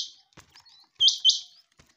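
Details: A quail calling, tagged as a female quail sound: two quick, high, buzzy chirps about a quarter-second apart, with faint clicks and taps around them.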